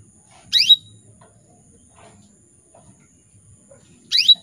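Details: Female canary calling males: two loud, sharp, high chirps about three and a half seconds apart, each sweeping quickly downward and ending in a brief steady tone, over quiet low background noise.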